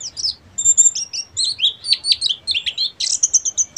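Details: A loud, clear ngeriwik burst from a Buxtomi Oriental white-eye, with bright high whistles, warbled slurs and rapid chips tumbling together, ending in a buzzy flourish.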